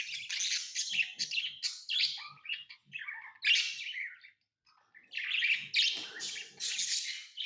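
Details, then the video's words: Scratchy, high chirping from pet lovebirds in rapid clusters, a brief quiet gap midway, then dense shrill chatter resumes with faint low taps underneath. "Love birds Sounds | lovebirds chirping sounds| parrot beautiful sounds"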